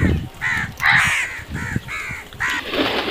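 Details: Crows cawing loudly in a rapid series of about six harsh, arched calls within three seconds, with low rumbling background noise beneath.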